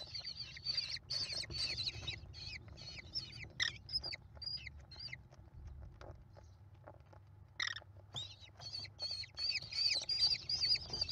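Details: American kestrel young, five nestlings fed by their mother on a live nest cam, 28 May 2021: rapid rasping screeches in bursts, thinning to scattered single squeals, then a loud renewed chorus.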